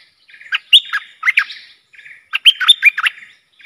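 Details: Agitated bulbul lure bird, worked up against wild rivals, sings two short phrases of sharp, liquid, rising and dipping notes separated by a brief pause.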